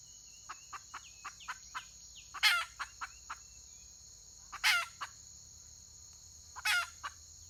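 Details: Female red junglefowl calling, recorded 31 May 2023: a run of short sharp clucks at mid pitch, then three loud harsh raspy bursts spaced about two seconds apart, over a steady high insect hum.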